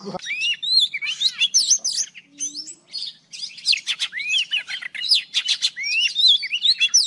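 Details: An old forest Oriental magpie-robin sings at dawn, recorded for trapping lure use. Clear upslurred whistles alternate with dense chattering notes, with a brief pause near the middle and a faint low hum underneath.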